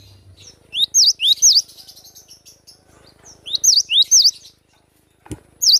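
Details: Natural song of a wild cinereous tit: two phrases of high, ringing whistles that dip and rise, each three notes long, separated by a quiet pause, with a sharp click near the end.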